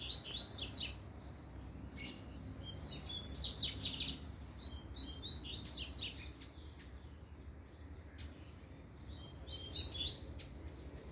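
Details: Double-collared seedeater singing in the puxada style: several bursts of high, rapid chattering and twittering notes, each a second or so long, separated by short pauses, over a steady low hum.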